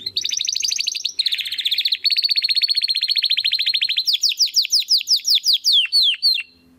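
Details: A young Spanish Timbrado canary trying out its full song: fast rolling metallic trills at two pitches for four seconds, then a run of clear descending whistled slurs about three per second.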